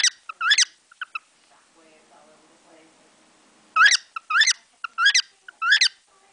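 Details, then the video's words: A cockatiel imitates sparrows, with songs learned from sparrows outside the window. It gives a quick burst of four or five bright chirps, a faint murmur and a pause, then a second string of about six sharp cheeps. "Корелла - воробей"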